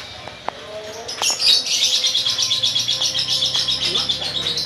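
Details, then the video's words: Cucak Ijo Blorok green leafbird practising ngetrok, a rapid trilling song, and learning to answer rivals before a singing contest; a dense, buzzy, high trill starts after a second and runs on at about four pulses per second. "Cucak Ijo Blorok belajar ngetrok"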